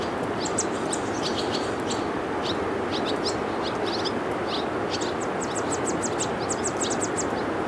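Yellow warbler chicks give thin, very high chips in quick bursts of several at a time, almost without pause, over a steady rushing background noise.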